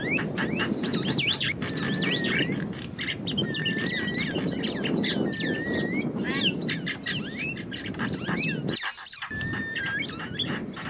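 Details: Wild Javan mynas keeping up busy chatter: quick clicks, short flat whistles and downslurred notes about four a second, with constant low background rumble and a brief drop near the end.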